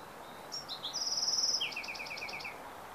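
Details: A Bewick's wren in Carmel Valley, San Diego, on 15 April 2019 sings a short, bright phrase: a few high introductory notes, a fast buzzy trill, then slower falling, slurred notes, over faint hiss.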